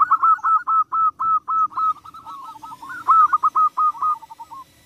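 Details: Zebra dove song aimed at stirring up rival birds, a steady fast string of clipped, cooing notes at one pitch, briefly blurring into a rolling trill midway before the separate notes return.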